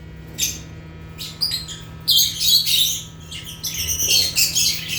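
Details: African lovebirds (Agapornis) chirping: sparse sharp high squeaks at first, building into continuous shrill, harsh chattering, with a low steady hum in the background.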